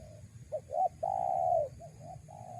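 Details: Spotted dove calling to lure wild doves: a soft note, two quick hooked notes, one loud long coo, then gentler trailing coos, over low constant rumble.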